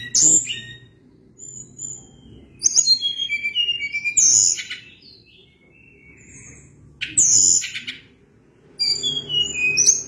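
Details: Sunda blue robin singing actively: rich stretches of high whistles and fast descending note runs, broken by short quiet gaps, continuing throughout.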